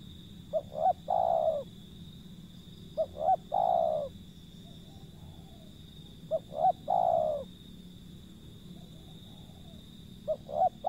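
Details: Wild zebra dove calling: short stuttered soft notes run into a longer purring coo, the phrase repeated about every three seconds, low and mellow, over a steady high insect-like hum and faint background rumble.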